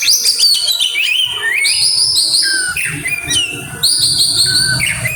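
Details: Aggressive oriental magpie-robin song with mimicry, long sustained high whistles alternating with downslurred notes and quick chirp bursts, some faint low rumble behind.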